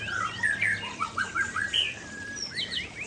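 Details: White-rumped shama (Aceh type) singing vigorously near a waterfall: rich whistled phrases, sliding up and down, delivered in quick varied bursts over a steady rushing hiss of falling water.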